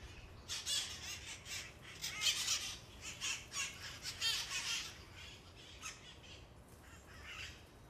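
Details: Feral parrot flock on Telegraph Hill, San Francisco, near Coit Tower: a dense run of harsh, chattering screeches for about five seconds, several birds overlapping, fading to a couple of fainter squawks.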